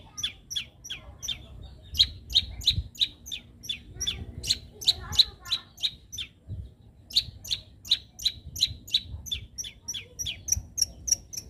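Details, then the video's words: Young long-tailed shrike from the wild delivering long runs of sharp, clipped, high notes repeated roughly three per second, with a brief gap midway, then resuming more rapidly; faint low background rumble. "suara asli cendet muda hutan."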